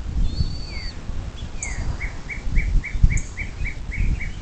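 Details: At a bald eagle nest near South Lebanon, Ohio, filmed by nest camera at 07:02 on 26 April 2024, a high descending note leads into roughly nine rhythmic chipping calls; songbird whistles and low rumbling patter sit behind.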